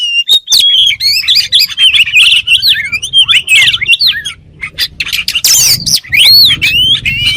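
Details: Oriental magpie-robin (kacer) singing energetically, a sound said to make kacer birds start singing at once: continuous, dense, varied whistles and trills with sharp accents, over a steady low hum.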